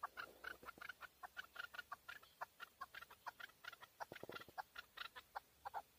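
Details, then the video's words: Chukar partridge calling in Tajikistan, 2020: a dense, chattering sequence of overlapping clucks and chuk notes at moderate volume, busier and less regular than a single steady series. "Нар Кабки Шикори (Садои кабки Шикори) 2020. Каменная Куропатка (Кеклик) в Таджикистане 2020. KEKLIK"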